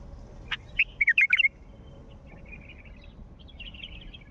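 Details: Mandali wild bulbul giving one short, lively phrase of clear liquid whistled notes, rising and falling in a tight cluster lasting about a second, followed by faint thin high twittering from other birds.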